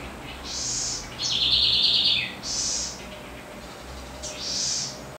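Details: Southern house wren (Troglodytes musculus), or Cambaxirra, delivering its strong melodious song: breathy high bursts alternate with one fast buzzing trill that tails downward, with the high notes recurring about every one and a half seconds against a quiet background.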